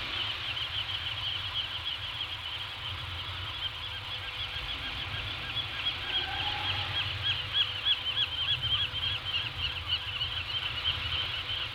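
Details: Peregrine falcons at their nest just outside a cave on remote Anacapa Island, California, morning of 20 July 2018; a fast series of harsh, rhythmic repeated calls builds and grows louder over the second half, over steady low wind and surf rumble.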